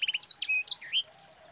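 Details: Brief burst of sanger song, used as a training lure: three quick chirps, then high looping whistles and a level piping note, ending in a rising slur before falling quiet.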